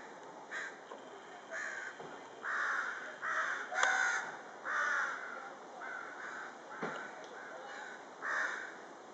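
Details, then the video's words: A flock of crows calling in the evening hours. Separate harsh, nasal caws come roughly once a second, uneven in loudness, with one sharp louder call near the middle against a quiet, hissy background. "The herd of crows on action in the evening hours"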